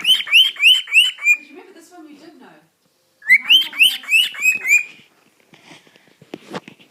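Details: A pet male cockatiel sings two runs of bright, rising whistles, each note repeated several times per second, to show affection toward a glove he likes.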